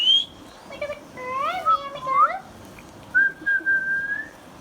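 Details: Green Indian ringneck parakeet, hand-tame, talking: a high opening note, then a series of rounded, harmonic speech-like syllables rising and falling, a pause, and a long level whistle.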